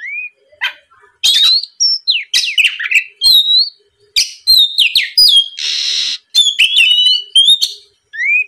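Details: Oriental magpie-robin in ngeplong style, used as a lure to provoke rival males into singing: loud, varied whistled phrases, rising and falling slurs broken by short clicks and pauses, with one brief harsh burst near the end.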